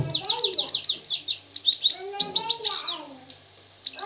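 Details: Free-living Moroccan goldfinch twittering: a rapid string of sharp, high, descending chirps, then lower, sliding whistled notes and a short buzzy trill before a brief pause.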